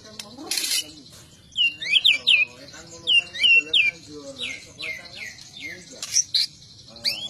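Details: White-rumped shama, a fighter bird with varied singing styles: repeated bright rising whistled notes in groups of two or three, with sharper high notes and a faint low background hum.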